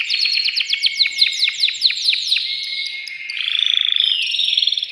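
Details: Excited male canary singing to stimulate a female for mating: rapid series of descending sweeps repeated several per second, then a long high whistle and a fast buzzy trill.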